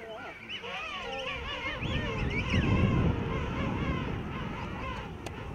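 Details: A dense chorus of thousands of king penguins at a rookery among tussac grass on a steep slope, Salisbury Plain, South Georgia, gives many overlapping trumpeting, warbling calls, over a steady low rumble of wind and surf.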